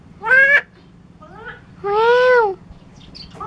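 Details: Starling from Curup able to whistle many sounds; a short bright harmonic call, a soft faint phrase, then a longer, level, voice-like note lasting under a second.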